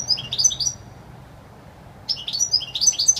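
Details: Wild European goldfinch song, clear and pleasant: quick liquid twitters and bright high chirps in two bursts separated by a silent gap of about a second, with a low steady hum underneath.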